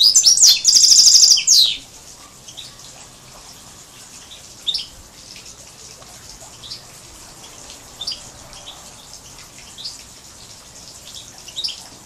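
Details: Major x canary hybrid singing: a loud, rapid, buzzy high trill for under two seconds, then scattered short high chirps and faint ticking over a quiet background.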